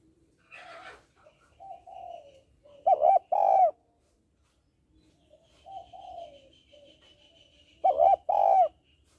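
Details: Female spotted dove calling to stimulate males. Two full phrases are heard, each opening with quiet, hoarse lead-in coos and ending in a loud, resonant double coo, separated by a few seconds of quiet.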